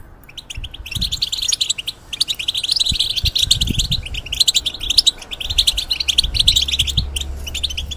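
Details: European goldfinch kept in a cage during its feather change, singing a steady stream of rapid high twitters and trills after a short pause, with faint low knocks.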